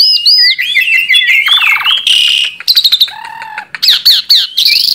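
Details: Singing tame Asian pied starling delivers a loud medley of looping whistles, a nasal rattle, harsh buzzy squawks and clipped chatter, the phrases running together with brief gaps.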